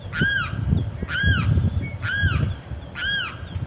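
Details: Male limpkin crying repeatedly to attract a mate: four loud, wailing, arched cries with rich harmonics, each rising then falling, about one per second, over a low rumbling background.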